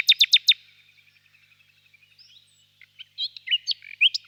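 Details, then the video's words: Nightingale in a birch grove on a warm spring evening, opening with four loud rapid notes, then a long faint ticking series, and finishing with varied loud whistled and chirping notes. "Пение соловья"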